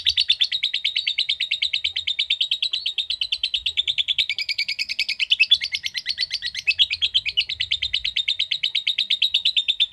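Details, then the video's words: Long ngekek from a ngetik lovebird: a continuous, machine-gun-like chatter of rapid pulses lasting a full ten seconds, briefly rising and wavering in pitch midway, with no other sounds. "Love Bird Ngetik Cara Cepat Memanggil Love Bird Agar Ngekek Panjang"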